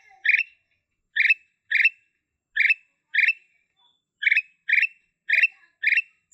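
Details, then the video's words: Black-capped bulbul (kutilang emas) singing in the 'blorok' style: short, rich, chattering note bursts repeated at uneven intervals, about nine in six seconds, with a quiet background. "Kutilang Emas Blorok"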